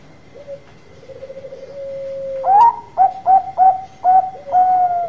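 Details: Loud-voiced Bangkok zebra dove singing to lure other doves into answering: a long purring coo rises into a rapid string of five or six sharp, clear coos, with a faint hum behind.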